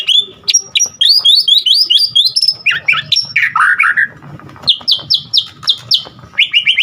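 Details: White-rumped shama singing vigorously, its song full of varied filler phrases: fast whistled trills, buzzy slurred notes and sharp upswept chips run together nonstop, with a low hum underneath.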